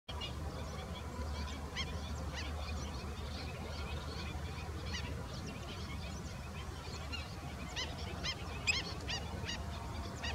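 Young black-winged stilt giving short, sharp, nasal yelps, scattered irregularly throughout, over a steady low rumble of wind or distant traffic.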